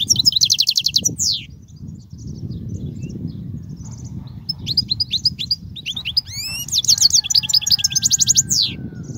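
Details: European goldfinch singing to teach young goldfinches: dense high buzzy trills and twitters at the start, a quieter pause with low rumble, then renewed rapid trilling and twittering phrases.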